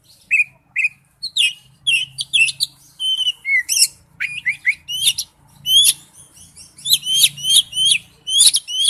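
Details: Oriental magpie-robin lure song for a ringtone: clear whistled notes, then a lively stream of varied chirps, slurs and upswept calls, growing faster and denser toward the end.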